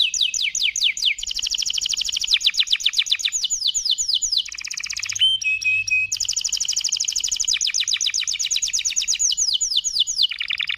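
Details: Canary singing a long, powerful song of rapid rolling trills made of quick descending sweeps, broken by a brief pause with a few clipped notes, then resuming the fast trills.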